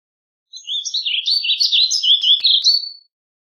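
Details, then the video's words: Warbling vireo singing one smooth, unbroken warbled phrase of about two and a half seconds, notes sliding up and down and finishing on a rising slur. "Warbling Vireo Bird Singing, Calling, Chirping, Sound - Vireo Gorjeador Canto - Vireo Gilvus"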